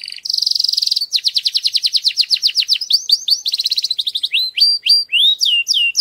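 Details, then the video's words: Male canary singing loudly to stimulate females for mating: a sustained buzzing roll, then a long series of rapid rising chips and clipped trills, ending in slow, swooping whistled notes. "Fuerte canto de canario para preparar a las hembras"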